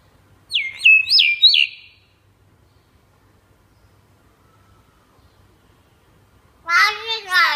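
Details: Common hill myna learning to talk: three rapid, sharply falling whistled notes in quick succession, a pause of silence, then a harsh, voice-like harmonic phrase with wavering pitch, repeated in short bursts.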